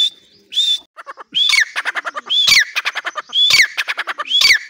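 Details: Caged grey francolin in Pakistan calling from the cage door: shrill whistled notes, rising then falling sharply, mixed with quick trains of harsh pulsed notes. Phrases repeat about once a second.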